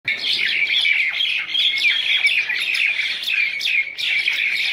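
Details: Wild common mynas in a group fighting: continuous dense, harsh squawking and chattering calls overlapping without pause, several birds calling at once.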